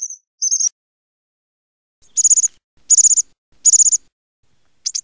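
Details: American bushtit calling with very high, rapid trilled bursts, each a quick string of ticking notes, repeated about every second after a short high opening note.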